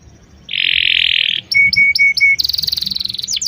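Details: Canary lure for teaching a young bird to sing: a long harsh buzzing note, then several sharp chips with a steady tone beneath them, ending in a very high rapid rattle.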